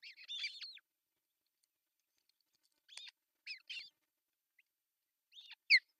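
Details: Finnish osprey nest, Pohjois Satakunta, June 10, 2024, male bringing a big fish; a short burst of high piping calls, silence, then scattered chirps ending in one loud sharp downslurred whistle.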